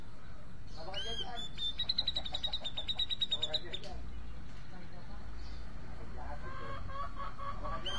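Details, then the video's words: Grey-cheeked bulbul (cucak jenggot) gives a quick run of sharp, evenly repeated high notes lasting about three seconds, then falls quiet; softer lower warbles follow near the end over constant low hum. "Cucak jenggot mencari teman karaoke"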